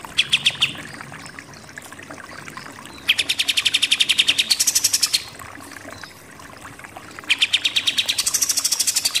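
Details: Pied triller, or kapas tembak, delivering 'nembak-nembak' song for contest-bird training: a few scattered notes, then two long, very fast rattling bursts of repeated notes, each climbing to a higher, buzzier pitch at its end.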